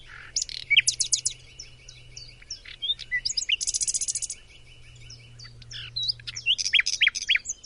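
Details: Macedonian nightingale in full song: dense bursts of sharp chirps, a fast rattling trill held for over a second, and loud whistled upslurs, with a low hum in the background.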